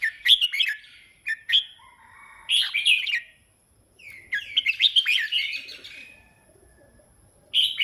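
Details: Red-whiskered bulbul in continuous song, giving short chattering, liquid warbled phrases separated by brief silences of a second or so; a faint steady high hiss runs underneath.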